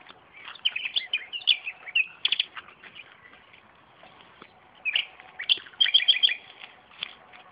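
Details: Common nightingale singing near tomato plants in a home garden, a varied song of bright chirps and rapid repeated notes in bursts, with a pause of about two seconds between phrases.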